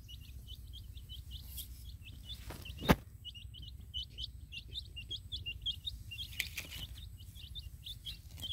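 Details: Baby chicks out in a field with a hen: a dense chorus of high, sharp peeps repeated rapidly, a loud click near the start, over a constant low rumbling background.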